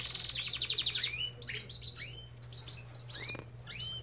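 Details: Belgian canary in an aviary opening with a fast buzzy trill, then scattered upward-sweeping chirps and short whistled notes, over a steady low electrical hum.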